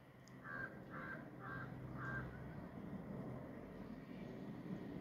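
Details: Crow uttering four quick, clipped caws in a row, over a steady low rumble of traffic or engine noise that continues after the calls stop.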